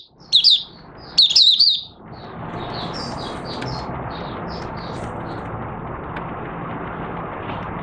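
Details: Captive oriental white-eye, open-cloth singing, 25 August 2022: two loud bursts of high twittering whistles, then fainter high notes fading under a steady broad hiss.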